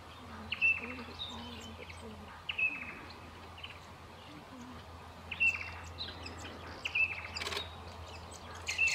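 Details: A single inquisitive little lorikeet gives short, shrill, high-pitched screeches, single or in quick pairs every one to three seconds, over a low steady hum and faint distant murmuring.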